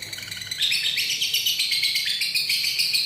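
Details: Lovebird with a long 'ngekek' chattering song, recorded 31 January 2019: dense, continuous high twittering and squeaky chirps, rapid and uneven, sustained throughout with no pauses.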